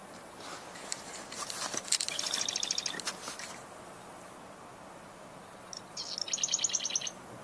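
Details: Marsh Wren, possibly two of them, unseen in a marsh where wood ducks are about, gives two quick bursts of rapid, high, rattling chatter, each about a second long, with soft background hiss between.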